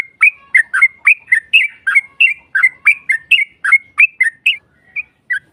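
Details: Provocation song of a yellow-vented bulbul for baiting a rival into replying: a steady run of about fifteen liquid, upslurred and downslurred notes, roughly three or four each second, fading at the end.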